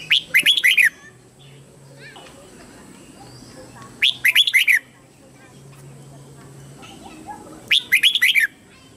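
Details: Red-whiskered bulbul lure bird singing to summon wild birds to fight: the same bright, warbled phrase of about five quick swooping notes repeated roughly every four seconds, faint distant bird chatter between.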